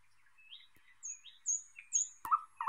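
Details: Thrush nightingale singing: a few thin rising whistled slurs at different pitches, a high descending whistle, then a sharp click and lower, louder clipped notes toward the end.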